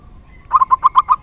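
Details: Local zebra dove in its rare 'dor tak kowor kowor' song style, a short run of six or seven fast, mellow, rolling coo notes after a brief quiet start.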